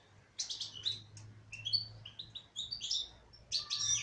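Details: Caged female goldfinch in song, a lively run of chattering, liquid twitters and thin metallic notes, phrases tumbling together quickly; a faint low electrical hum runs underneath.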